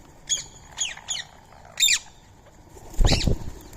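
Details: Indian ringneck parakeets, free-living, visiting to eat soaked rice and corn on a March 2025 morning at 6:30: five harsh, ringing squawks at uneven intervals, the last loudest, mixed with a dull low rumble like wing flaps.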